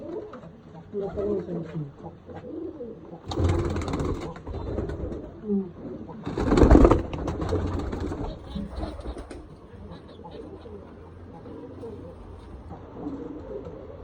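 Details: Domestic pigeons on a pigeon farm, with chicks present, coo in low, soft, rolling phrases while people talk nearby.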